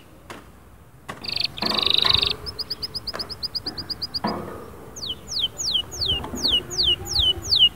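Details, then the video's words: Canary song presented as a rousing track to stir a silent canary into singing: after a few knocks and rustles, a rapid trill of repeated high notes, then a series of sharp downward-sweeping whistles about twice per second. "اياك وتقول عصفوري الكناري ساكت أدخل عليه البهجة بالمقطع الاكثر تحفيز"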